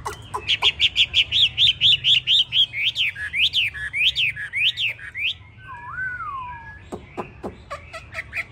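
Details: Yellow-legged, yellow-billed, yellow-plumaged hwamei ('tam hoàng') gives a long run of about twenty sharp repeated whistles, then a lower slurred wavering whistle and scattered clicks.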